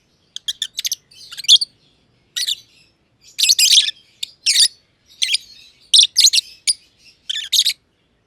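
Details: Aviary-kept lovebirds, a green personata and a pied personata, chattering in rapid scratchy chirps, some bursts fast and stuttering, others longer and rasping, separated by brief quiet gaps.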